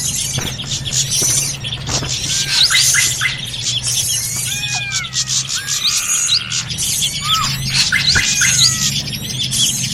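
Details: Busy drongo lure call used to attract birds for trapping: rapid chirps, clear upswept and downslurred whistles and sharp ticking notes tumbling over one another, with a steady low hum beneath throughout.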